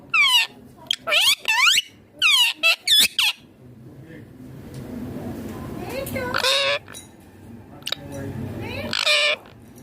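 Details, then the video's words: Rose-ringed parakeet chattering while eating: clusters of loud screechy, speech-like harmonic notes at the start, then rustling, with further squawk bursts later. "Ringneck green parrot natural sounds talking eating foods"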